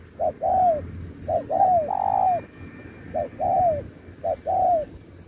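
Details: Spotted dove in a 2024 singing contest, performing the 'Thúc' style with 'Bo' and shifting phrases like a wild bird: mellow mid-pitched coos, a short note then a longer falling one, repeated in pairs over low rumble.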